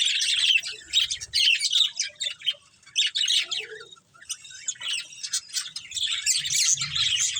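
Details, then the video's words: Budgerigars, a breeding pair, chatter in bursts of fast high tweets and scratchy warbling, pausing briefly around the middle before resuming, with faint low bumps. "Beautiful Budgies Chirping Sounds"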